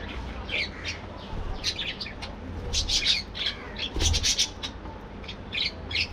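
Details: Colony budgies during morning activity give clusters of harsh, high squawks and chirps in irregular bursts separated by short pauses, with a low hum underneath.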